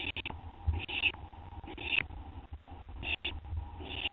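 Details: Owl finishing a gopher passed on by another owl, at 2:56 AM on 10 September 2011; scratchy hissed screeches come about once a second, over low hum and soft shuffling noises.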